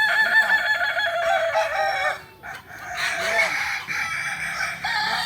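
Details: Crowing practice contest of kukuak balenggek chickens in Panyakalan, Solok; dense overlapping roosters give long multi-syllable crows, dipping briefly near two seconds, then a new burst of crowing.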